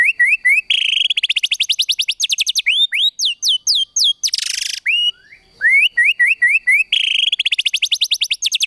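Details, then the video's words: White-rumped shama singing kretekan tembakan, used to provoke emotion: loud, dense, very rapid series of repeated high upswept notes, a short harsh buzz, a brief pause, then the rapid repeated notes again. "KRETEKAN TEMBAKAN MURAI BATU MEMANCING EMOSI"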